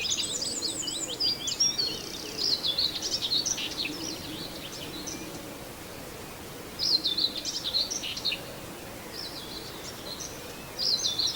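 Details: Near Wells-next-the-Sea, a common whitethroat repeats brief scratchy, chattering song phrases every few seconds, high and hurried, with other birds calling faintly in the background.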